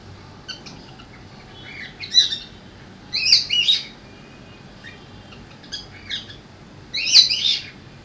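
A cockatiel gives bright, scratchy chirps in short bursts, pausing a second or two between clusters.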